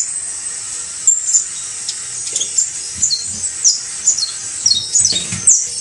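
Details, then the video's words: Saffron finch (canario basto criollo) singing: after a quiet opening second, bright high chips and quick downslurred notes follow roughly every half second, with a few soft low thumps underneath. "UN CANTO INCREIBLE DE CANARIO BASTO CRIOLLO (FANTASTICO)"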